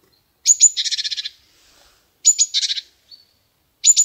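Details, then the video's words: A chickadee gives its namesake call: two high, thin opening notes and then a quick run of harsh, buzzy 'dee' notes, repeated about every two seconds. "Chickadee Bird Singing"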